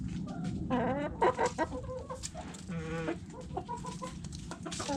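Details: Backyard chickens feeding on food scraps: several hens give rising, nasal harmonic clucks and a longer squawk, interspersed with short calls and pecking clicks over a low steady hum.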